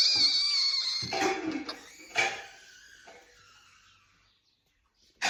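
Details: Rosella making a funny sound indoors, a loud harsh screech with a thin whistled overtone at the start, then rasping bursts fading into quiet.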